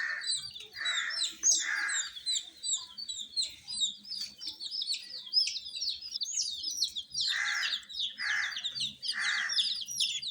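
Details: Many coloured chicks, domestic baby chickens being kept warm, peep in a thick high chorus while repeated soft rushing scuffles sound in clusters at the beginning and later.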